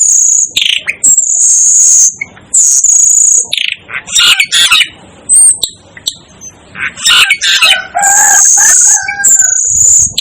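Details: Shrill, very high drawn-out notes from an Asian glossy starling come in repeated bursts about a second long, broken by dry clicks and chatter. Lower whistled tones appear near the end.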